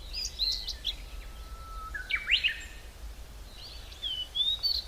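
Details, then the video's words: Several birds call in the Hallerbos, a mixed deciduous forest south of Brussels, Belgium: short high chirps, quick upward slurs and thin whistled phrases scattered across the few seconds over a low steady background rumble. "Relaxing Forest Hallerbos Brussel België Beautiful Birds sounds"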